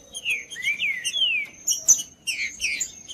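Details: Song of a green-winged saltator used to warm up a cold bird: a run of smooth downward-slurred whistles, a sharp high chip, then a busy tumble of rapid notes, backed by a faint steady high tone.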